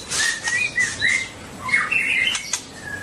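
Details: Long-tailed white-rumped shama giving soft whistled phrases, short flat and slightly rising notes, over a hissy background with a few clicks.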